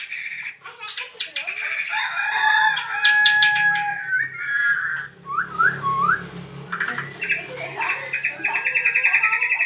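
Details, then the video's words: Caged songbird singing nonstop right after its cage cover is opened: a rapid, varied run of chattering notes, short slurred whistles and a fast trill near the end, with a low hum underneath. "BARU datang buka KERODONG langsung NYEROCOSS gak bisa diem"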